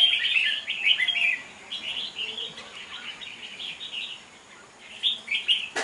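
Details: At a singing duel held on 5 November 2023, a caged wild-caught Red-whiskered bulbul gives rapid, bright, twittering phrases. The phrases run almost nonstop and then fade, ending with a sharp click.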